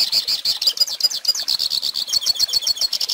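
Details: Hooded Siskin song played for teaching young birds to sing: a fast, continuous twittering of high, thin chirps and buzzy trills, tightly packed notes wavering up and down without pause.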